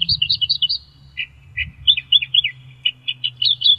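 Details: Song of the Australian reed warbler: opening rapid high chattering phrase, a pause, then scattered lower chirps and quick slurred notes rising again to high repeated notes at the end; faint low hum underneath.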